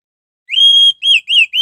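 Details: Orange-headed thrush lure song: a long, steady, pure whistle followed by two shorter whistles that dip in pitch, clear and loud in a silent background.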